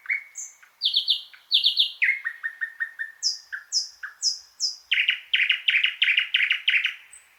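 Thrush nightingale singing loud, varied phrases: clear whistles, rapid repeated high notes, then a burst of hard, rattling clicks at a fast pace. No other sounds.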